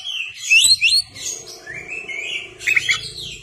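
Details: Kacer, the white-rumped shama, in full song with tail open: dense, loud, warbling phrases mixing high trills and slurred whistles, over a steady low hum in the background.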